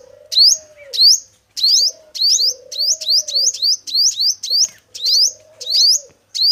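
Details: Trapping-lure recording of a male sunbird, the local five-coloured sunbird: bright, piercing rising chirps about every half second, some doubled, with a soft low whine heard between them.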